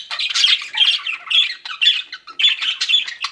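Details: Pet budgies chirping: a steady run of scratchy, warbled squawks and chirps, about two per second, bright and high-pitched with no other sounds.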